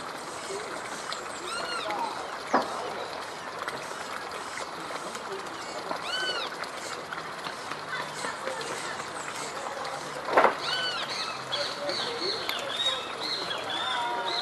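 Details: Great kiskadee (Pitangus sulphuratus) feeding three nestlings at its nest in Parque Celso Daniel, Santo André, gives short, bright, arching calls every few seconds over a steady outdoor hiss, with a couple of sharp knocks.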